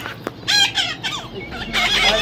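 A young parrot gives a run of harsh, rasping squawks and bent, chattering notes.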